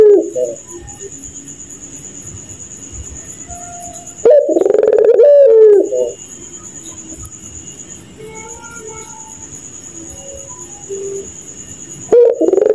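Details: Night-time laughing call of a puter pelung dove, repeated outbursts of quick, pulsed, deep cooing, each one to two seconds long, separated by quieter gaps of steady high insect drone and faint whistled notes.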